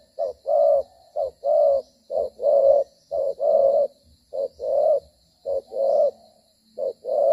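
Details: Spotted dove during an evening trapping outing near 6 pm on 25 September 2023 in the rainy season gives low, hollow coos in short paired phrases, a soft note then a longer rolling one, repeating about once a second.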